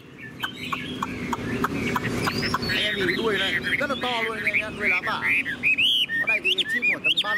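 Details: A tame caged Chinese hwamei, kept without a female yet singing steadily, pours out a loud, rich song of varied whistles, slurred notes and quick rising phrases, with a man talking underneath.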